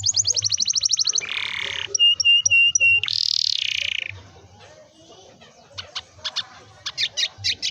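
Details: Canary rolling song intended to prompt young canaries to sing; fast trill, harsh buzz, steady whistled notes and another buzz, followed by a quieter stretch with short repeated chirps.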